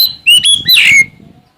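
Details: Oriental magpie-robin, Sumatran bird, singing to call out a rival: one short, loud phrase of bright whistles ending in a harsh, scratchy downslurred note, with low rumbling noise underneath.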